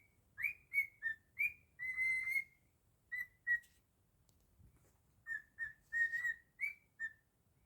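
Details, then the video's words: Pet cockatiel whistling its own version of Jingle Bells: clear, pure whistled notes, short and slurred, some rising into sustained tones, in two phrases separated by a quiet pause. "Cockatiel singing beautifully 😍 jingle bells"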